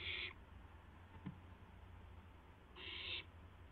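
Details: Young barn owl testing its wings just after midnight, April 12, 2016: two short, rasping, hiss-like screeches about two and a half seconds apart, with a faint tap between and a low background hum.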